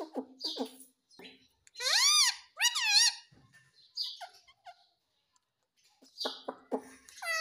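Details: A pet rose-ringed (Indian ringneck) parakeet in India repeating "Mami" in a squeaky, nasal voice, with short syllables and sweeping harmonic squawks between bursts.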